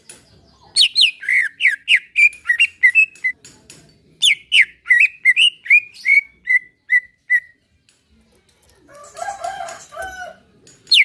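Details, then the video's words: Caged greater green leafbird song meant to stir another caged bird into singing: two runs of quick, loud, slurred whistled notes, each run slowing and softening at its end, then a brief burst of a different lower chattering bird. "Ampuh buat pacingan cucak ijo agar bunyi || lantunan santai"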